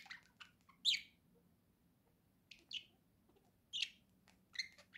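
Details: Budgerigar kept as a pet, giving sparse short chirps and squeaky notes spaced about a second apart, with quiet gaps in a small room.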